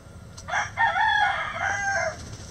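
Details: A rooster crows once: a harsh, drawn-out, strained call of about one and a half seconds with a rough start and a falling finish, over a low steady hum.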